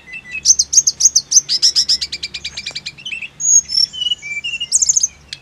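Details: Snowy-browed flycatcher song from a therapy recording to make birds sing nonstop: a long steady series of sharp, evenly repeated high notes, then varied whistles and a closing cluster of bright chips.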